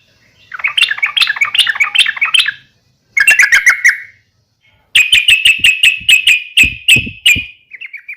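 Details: Fighting call (uplik tarung) of a yellow-vented bulbul, meant to stir other bulbuls to respond: a bubbly chattering burst, then sharp repeated chips, then a long series of strong staccato notes.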